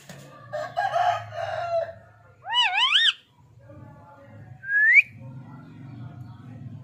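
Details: Pet ringneck parrot making its different voices; a low murmured phrase, then two looping rising-and-falling whistled notes, a pause, and one sharp upward-sweeping whistle, over a soft background hum.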